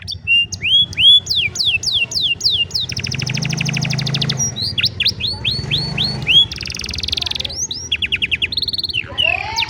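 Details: Old canary's afternoon song, varied and long: upswept whistles, fast rattling trills, buzzy rolls and repeated chirp series, over a low background hum.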